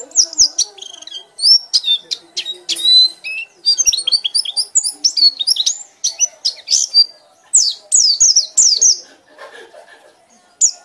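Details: Energetic ngekek song from a white-eye, a long unbroken stream of sharp high chirps, buzzy trills and falling whistles, rising to a rapid cluster of downslurred notes near the end.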